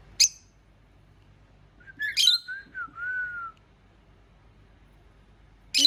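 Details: Pet cockatiel (Nymphicus hollandicus) mimicking a telephone: a quick run of clear, slurred whistles ending in one longer, gently arched note, framed by sharp clicks at the start and end.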